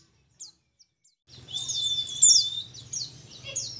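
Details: Young forest-caught mountain white-eye, endemic to Mount Ciremai in Majalengka, West Java, in song training: a few isolated high chirps, then a continuous buzzy, very high twittering phrase over a steady low hum.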